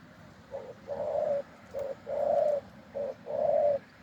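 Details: Wild spotted dove with a big voice, heard during decoy trapping, giving muffled low coos, short then long, against a steady broadband hiss.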